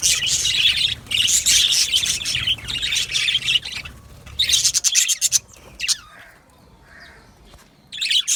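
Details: Budgerigars in an aviary colony give busy high twittering and chirps for about five seconds, then the chatter breaks into scattered calls and a short near-silent gap before resuming.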